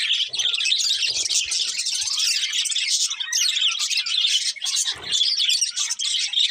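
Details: Budgerigars, a colourful breeding pair, chattering continuously in high scratchy warbles and chirps, with faint low rustles and one dip in the chatter near five seconds.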